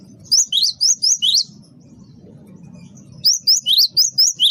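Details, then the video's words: Great tit (gelatik batu, wingko type) in lively lure song: two bursts of fast, high, piercing chevron-shaped notes, about five and seven notes each, separated by a quiet gap with low background hum. "gelatik batu wingko gacor pancing bunyi pikat gacor"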